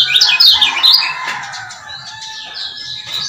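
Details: Lemon-bellied white-eye male from Lombok, a lure to rouse quiet birds: a loud opening second of rapid high chirps and slurred notes, then softer scattered twitters.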